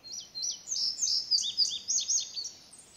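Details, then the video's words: Indigo bunting singing in the wild near other calling birds including a house wren; a rapid sequence of high, sharp, paired and slurred notes runs almost continuously, fading toward the end. "Indigo Bunting Singing"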